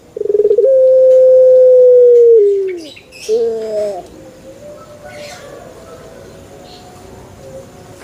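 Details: One long coo from a male Barbary dove: a rattling start, then an even hoot of about two seconds that falls away, a brief wavering note, and quiet background with soft voices and faint rustling afterwards.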